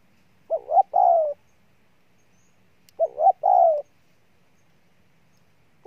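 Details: A wild-caught spotted dove gives powerful cooing. Each phrase is two short hollow notes followed by a longer, drawn-out falling coo, repeated about every two and a half seconds in a quiet setting.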